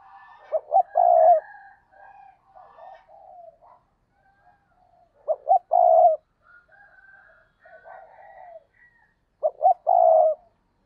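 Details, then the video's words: Decoy spotted dove cooing to draw in wild doves, repeating its phrase three times roughly every four to five seconds. Each is two quick notes then a long coo, with softer wavering coos in between. "Chim Cu Mồi, cu gay kich boi nhanh noi gù hiệu quả nhất 2023"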